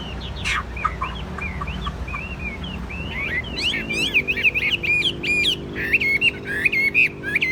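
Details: Chinese hwamei kept in a cage, tame and calm, pouring out a varied whistled song. Short slurred notes give way to fast, loud repeated phrases that rise and fall, over a low background hum.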